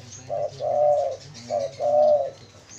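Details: Spotted dove calling, used as a lure for wild doves: two low hollow coo phrases, each a short note followed by a longer drawn-out coo, in a quiet setting.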